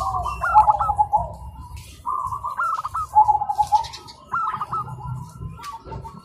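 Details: Zebra doves singing in the morning, answering each other: rapid bubbling cooing phrases that rise and fall, with a soft trill, repeated and overlapping between birds. A low steady rumble runs underneath.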